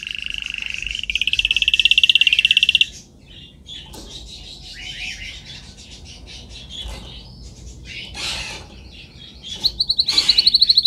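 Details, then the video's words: Singing canary on a recording made for training: a loud, buzzy rapid trill for about two seconds, then softer scattered chirps and twitters. A high, fast pulsed roll returns near the end. "Canary singing"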